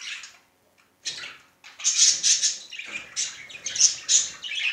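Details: Male budgerigar showing affection: fast, scratchy, high-pitched chattering warble in dense bursts, a short quiet gap near the first second, then continuous twittering chirps and squeaks that rise and fall in loudness.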